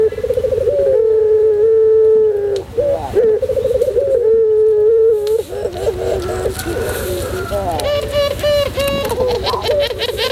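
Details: Tutor recording of a white puter pelung dove in song: two long, even, hollow coos of about two seconds each, followed by shorter wavering coos, with bright chirping from other birds near the end.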